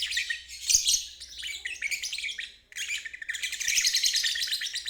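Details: Ngeriwik song of a lovebird, meant to help stalled birds and young birds learn; rapid, shrill chattering runs, a brief silent gap mid-clip, then a long unbroken buzzy trill, with a faint steady low hum.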